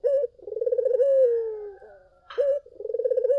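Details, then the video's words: Collared dove lure song: a clipped opening coo, then a long rolling, pulsing coo that eases into a smooth descending tail, followed by another short coo and the start of the next roll. "SUARA BURUNG PUTER GACOR! 100% pancingan ampuh,puter kamu pasti katut"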